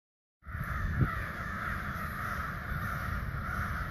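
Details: Hundreds of ravens calling in the distance after dead silence, going on for hours; a dense, continuous wash of overlapping harsh calls merges into a steady roar, with a low rumbling background.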